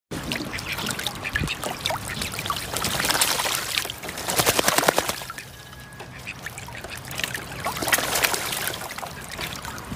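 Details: Miniature call ducks playing in a swimming pool give short, rapid quacks among steady splashing and dribbling water, with bursts of louder paddling.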